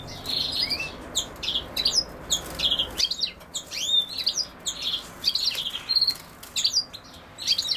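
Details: Rapid, tinkling European goldfinch song, noted alongside common sow-thistle: clustered chirps and slurred whistles tumbling in quick bursts separated by brief pauses.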